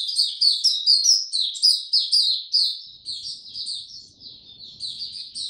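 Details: Warm, very humid weather, 26 March 2022, a white-eye sings a rapid sequence of high, sweet twittering notes, densely packed, continuing steadily throughout.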